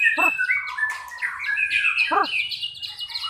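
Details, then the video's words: Short burst from a white-rumped shama at a simulated 'pastol' class bird contest: sliding whistles and quick chirps, with two harsh wavering descending notes, at the start and near the two-second mark. "kelas murai batu pastol"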